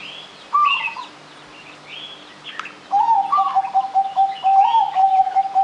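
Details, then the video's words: A zebra dove's lively cooing used as a playback lure for other birds: a higher opening note, then a quick rhythmic string of short level coos, with scattered high chirps from other birds in the background. "anggungan perkutut gacor. cocok buat pancingan"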